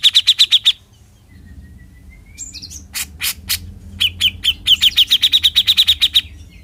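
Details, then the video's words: Cucak jenggot, the bearded bulbul, singing: a quick burst of sharp repeated notes, a pause with a faint rising whistle, scattered loud chirps, then a rapid even series of bright clipped notes. "Suara Besetan Cucak Jenggot"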